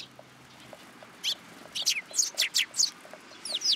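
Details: Sparrows gathering to be fed at a Tenmangū shrine on 10 July 2022: after a quiet start, a run of short, bright chirps comes in quick bursts through the second half.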